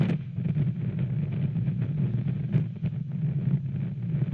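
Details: Louder low-pitched wind buffeting with scattered short knocks and crackles, no calls.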